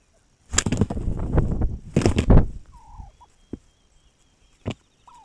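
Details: A wild turkey on 7 May 2021 gives a loud, rapid, gurgling gobble in two rolling bursts lasting about two seconds, followed by faint whistled bird notes and a few sharp clicks.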